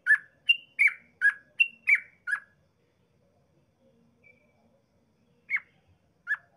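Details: Sooty-headed bulbul song used as a lure to provoke other bulbuls into singing: a quick run of bubbly, liquid notes alternating high and low, then a pause and two more isolated notes.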